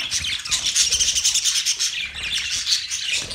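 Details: Several budgerigars, Australian parrots, in steady chatter: quick high twittering chirps run together with a few whistled notes, the mix holding an even level throughout with brief rises and dips.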